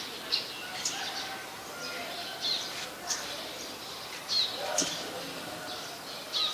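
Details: Male Scarlet-backed Flowerpecker (Dicaeum cruentatum), a very common resident, recorded 18 February 2021 in Ubon Ratchathani, Thailand, giving thin, high, clicking tsit calls at irregular intervals of about a second over a steady soft hiss.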